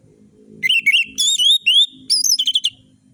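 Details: Orange-headed thrush lure song for birds that stay silent: wavering whistles, long rising tones, then high sharp slurs and a rapid trill, over a low rumbling background murmur.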